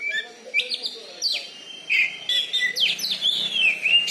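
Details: Loud caged Oriental magpie-robin (kacer), a Bengkulu champion, pouring out a dense stream of slurred whistles and descending sweeps with scratchy notes between.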